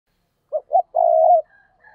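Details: Decoy spotted dove cooing to lure other doves: two short low notes, then one long steady coo, with faint higher whistles afterward.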